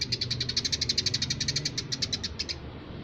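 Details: Energetic Eurasian tree sparrow chirping: a rapid train of high, sharp notes for about two and a half seconds that slows and fades at the end, with low rumbling behind.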